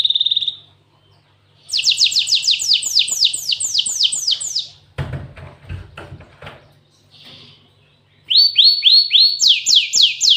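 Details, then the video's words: Cinereous tit delivering canary-style isian phrases. A brief high trill, then a fast string of about a dozen sharply descending whistled notes, a clattering pause, and a closing run of swooping notes that rise higher near the end. "Burung gLatek watu full isian kenari"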